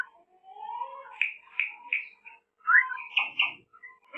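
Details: African grey parrot, a talking pet said to pick up words like a human, giving a string of bright whistles and chirpy speech-like syllables, with several short loud notes bunched near the end, indoors.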